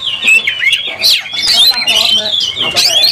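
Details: Agitated oriental magpie-robin in a fight, tail fanned: rapid, varied whistled phrases that sweep up and down and mix with harsh chirps, delivered in a continuous stream.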